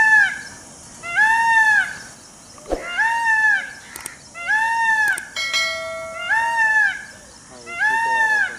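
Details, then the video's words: Indian peafowl giving loud, nasal, arched honking calls rich in overtones, about once a second, with a few sharp clicks between them. "PEACOCK ~PEAHEN CALL"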